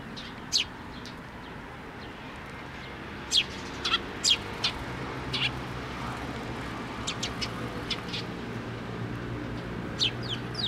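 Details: Several sparrows coming to be fed at a post at a Tenmangu shrine, 26 May 2024: scattered bright, clipped chirps, some in quick clusters, with quieter twitters between them against a low rumble.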